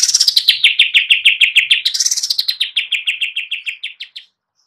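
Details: Gacor song of a greater green leafbird perched on a stand: a long rapid series of crisp chirps, around three per second, sliding gently down in pitch and fading at the end.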